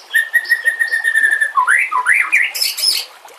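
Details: White-rumped shama song used to train or lure other shamas: a long steady whistled note, then rising and falling whistled slurs, ending in a burst of high bright notes.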